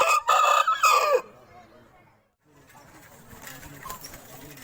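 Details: Aseel rooster crowing once: a loud, hoarse, broken crow lasting just over a second with a steady harmonic line, followed by near silence and faint low background noise.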